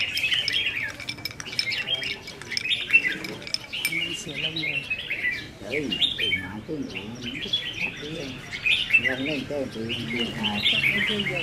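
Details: Caged red-whiskered bulbuls in a singing-contest training session on 15 May 2021, several birds pouring out overlapping bright, chattering warbled phrases, with a man talking in lower tones throughout.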